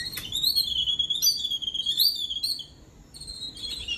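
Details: Babbler chicks in a cage outside a house calling while adults come to feed them: drawn-out high whistled squeals, wavering and slightly rising, broken by brief pauses.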